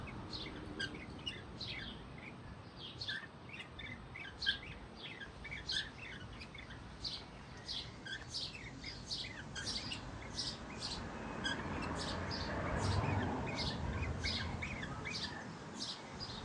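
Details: Several lutino cockatiels, kept for breeding, give quick, high chirps in a steady, overlapping stream.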